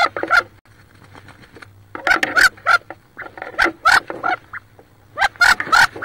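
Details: Wood duck hens fighting inside a nest box near Richland, Washington, where one sits on about 18 eggs: bursts of loud raspy squeals and clicks, in clusters separated by short pauses, over a low steady hum.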